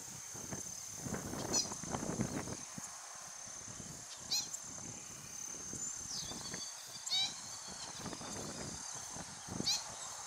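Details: Least grebe with its chicks at wetlands in Vila Velha, Espírito Santo, Brazil, giving brief, high, nasal calls about every two seconds over a steady high insect-like whine, with low rumbles of wind or handling.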